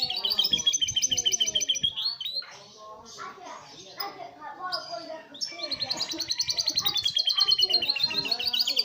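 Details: Domestic canary singing in a lovebird-imitating style, fast and tightly packed: rapid high trills with harmonics, a jumbled middle of mixed chirps and chatter, then another long fast trill; faint background noise.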